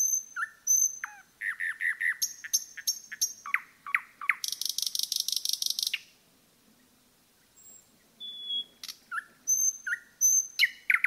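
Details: Common nightingale in a forest delivering varied phrases: high whistles, quick chirp series, a long harsh rattling buzz, a short pause, then more whistled notes and rapid chirps.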